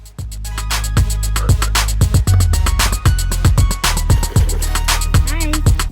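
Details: Loud rhythmic music with a heavy beat, repeated drum hits and melodic instrument lines fills the scene, with no animal voices.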